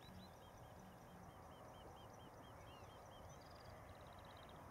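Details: Common snipe in the evening at Zandvoortweg, recording dated 020414: a faint, steady run of short chipping notes, several each second, ending in a quick high trill over a constant low rumble.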